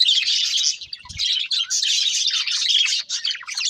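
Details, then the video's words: Budgerigars warbling as they eat, a steady stream of rapid twittering chirps and scratchy notes that overlap without pause, broken by a brief low thump near the one-second mark. "Beautiful Budgies Singing and Eating | Love Birds Chirping Sounds"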